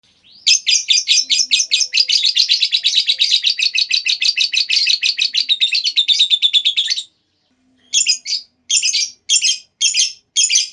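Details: Lovebird giving a long 'ngekek' chattering trill, used as a lure to set other lovebirds singing: a rapid, even train of buzzy high notes lasting about six seconds, then a pause and several short separate bursts.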